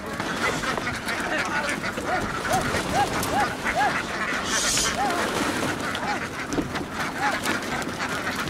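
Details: Laying ducks of a Vietnamese flock running from the field to a boat; a series of short, arched, nasal quacks at a steady pace over dense noise, with a brief hiss midway.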